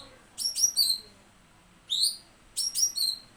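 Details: Cucak cungkok singing on a songbird tutor recording: clusters of quick, high, slurred whistles and chirps. Three short phrases are separated by pauses of about a second over a quiet background.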